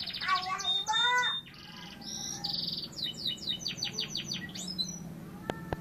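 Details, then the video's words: Gloster canary delivering quick rolling trills and sharp repeated chirps, then a run of descending whistled notes, over low background hum and a couple of clicks at the end. "kenari gloster dèbeké"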